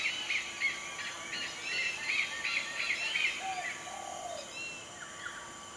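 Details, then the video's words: An Oriental pied hornbill at Sungei Buloh Wetland Reserve, Singapore, gives rapid, high cackling notes in a busy chattering run, then a few lower, falling squawks, over steady outdoor hiss. "Oriental Pied Hornbill"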